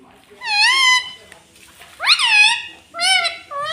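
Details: Talking pet parrot in a home, said to speak 'mummy papa': three loud, drawn-out harmonic vocalisations, the middle one rising sharply, spaced about a second apart.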